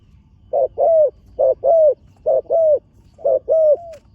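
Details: Spotted dove, a young trainee bird on the competition ground for the first time, giving four low two-part coos: a short note followed by a longer, slightly falling one, about one phrase a second, in a quiet setting.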